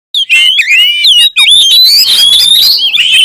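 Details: Oriental magpie-robin, kacer, singing: loud whistled phrases sliding and looping between high notes, with rapid chattering notes mixed in and a long rising whistle near the end.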